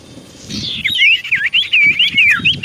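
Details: Lively common iora song used as a lure for replies: a descending whistled slur followed by a rapid series of wavy, looping whistled notes repeated about every quarter second.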